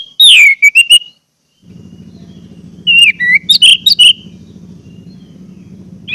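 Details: Song of an orange-headed thrush, meant to coax caged birds into song: a sweeping downslurred whistle and short notes, a gap, then a steady low buzzing hum under a second cluster of loud whistled phrases.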